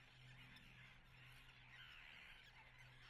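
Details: Common terns nesting at Atlit on 10 June 2010. Harsh overlapping colony calls, with one louder rising-and-falling squawk near the end over a low droning hum.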